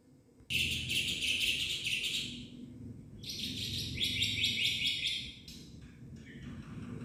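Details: Black-winged myna song, a full varied song: loud harsh buzzy chattering bursts high in pitch, a long phrase then a second dense burst with sharp clicks, over low background rumble.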